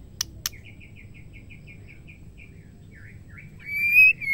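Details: Female white-rumped shama singing to stir males into song: two sharp clicks, then a quick run of soft, evenly spaced high chips, ending in a loud, clear whistled note that slides slightly upward.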